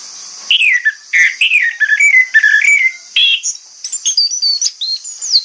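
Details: Morning song of an orange-headed thrush used to draw replies from other thrushes, a run of slurred descending whistles followed by higher, thinner chirps and short sweeping notes.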